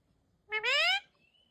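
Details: Pet parrot talking in Samalpuri, saying mummy: one short voiced utterance of about half a second in two joined parts, rising in pitch, then a faint thin tone against an otherwise quiet background.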